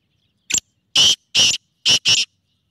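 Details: Black francolin calling: a short harsh click followed by four loud, grating, rasping notes given in two pairs, each note about a fifth of a second, in a quiet setting.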